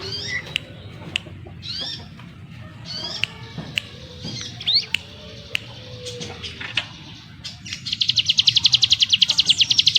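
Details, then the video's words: Sunda forktail (ciblek gunung) in rapid, dense song: scattered sharp rising whistled notes and short chirps over a low background hum, then a fast regular buzzy trill of pulsed notes from about the eighth second onward. "Burung CIGUN ngebrem nembak rapat - ciblek gunung master suara TEGAS"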